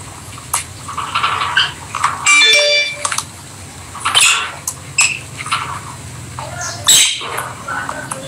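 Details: Pet rosy-faced lovebirds playing indoors give shrill, harsh squawks and sharp chirps in irregular bursts, with softer high chattering between them over a low indoor hum.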